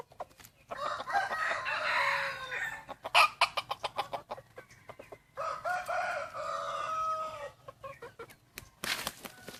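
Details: Morning crows of wild chickens, first day of Hmong New Year, 15 December 2020. Two main crows of about two seconds each are separated by bursts of quick clucking and clicks.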